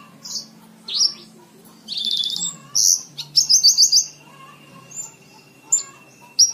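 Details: Lark singing as a model for training cage birds; varied high whistles, a buzzy trill, and a run of fast pulsed notes, separated by short silences, over a low hum.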